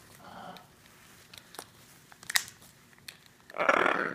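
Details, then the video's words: Two pet hyacinth macaws at play: scattered clicks and soft taps give way to one loud, harsh, broad squawk near the end, lasting under a second. "my two Hyacinth Macaws playing with each other"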